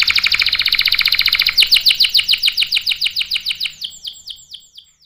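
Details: Canary song intended to coax and train young canaries: a quick buzzy trill that shifts into slower, ringing descending notes, which gradually space out and fade toward the end.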